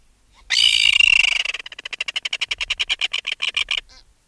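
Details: Alarm calls of an adult red-billed tropicbird lifted from its nest, recorded close: a drawn-out grating scream that breaks into a rapid, clicking rattle of harsh pulses.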